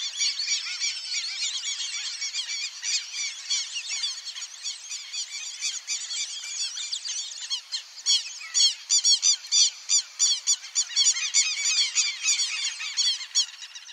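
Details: Wild black-bellied whistling ducks giving a dense, continuous chorus of shrill, squealing whistles, many overlapping calls pulsing rapidly and growing more clipped and stuttering toward the end.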